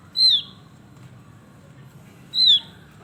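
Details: Male Javan grey-throated white-eye in lively voice gives two bright, ringing whistles, each dropping in pitch at the end, roughly two seconds apart, over a quiet low hum.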